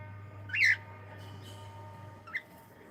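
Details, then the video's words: A pet cockatiel saying hello: a loud, harsh rising chirp around half a second in, followed later by a short faint second chirp, with a steady low hum underneath. "is saying hello"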